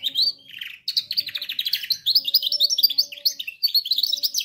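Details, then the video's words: Canary song meant for training young canaries, opening with a brief trill, a short pause, then a long rapid run of sharp repeated chirps and rolling trills, some rising in pitch, bright and high. "canary singing best video to training canaries birds"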